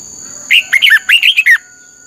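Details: Red-whiskered bulbul song for training birds, a single lively phrase of about seven loud, swooping whistled notes lasting about a second, over a constant high electronic whine.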